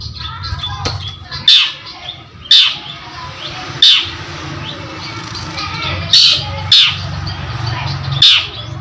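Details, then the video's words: Long-tailed shrike calling persistently, offered as a lure to make other birds sing: a string of short, harsh screeches at uneven intervals, with fainter chips between and a low background drone. "CENDET GACOR || PANCINGAN BUNYI"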